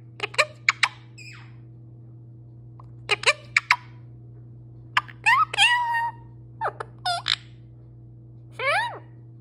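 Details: A pet parrot talking in a long stream, giving scattered squawky, speech-like bursts with rising and falling harmonic sweeps, separated by short pauses over a steady low indoor hum.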